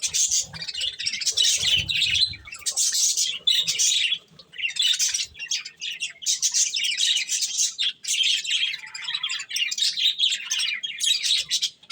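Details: Several budgerigars eating corn keep up a long run of rapid, raspy chirping and twittering in bursts roughly a second long, with brief quiet gaps and a few low taps early on.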